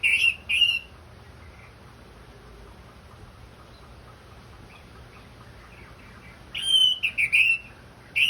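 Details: Therapy song of an orange-headed thrush, anis merah, from Indonesia, played to encourage a bird to sing: brief bright whistles at the start, a long hush with faint soft notes, then a quick cluster of whistled phrases.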